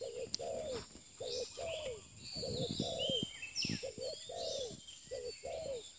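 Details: Spotted dove cooing in low, rounded repeated notes during pikat lure trapping of a new bird, with other birds chirping higher and a brief click.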